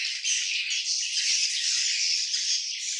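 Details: Many swiftlets of a colony calling together: an unbroken, shrill, rattling twitter that holds steady for the whole stretch.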